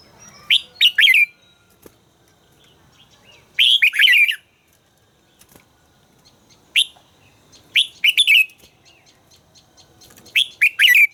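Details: Red-whiskered bulbul, voice training session, repeating short phrases of bright, fluty warbles, some phrases doubled, spread across pauses of one to two seconds.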